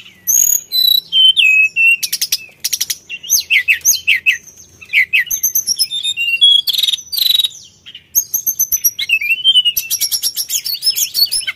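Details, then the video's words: Sulingan, a lure recording of a mountain bird singing vigorously: a fast, varied stream of high whistled phrases, sharp chips and rapid buzzy trills with barely a pause. "BUNYI SULINGAN GACOR"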